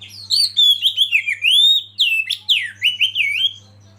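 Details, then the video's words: Oriental magpie-robin (kacer) lead bird, meant to provoke others to sing, delivers a continuous stream of bright, wavering whistles and slurred notes in quick succession over a low background hum. "Masteran KACER Pancing Emosi dan bikin gacor yg lain"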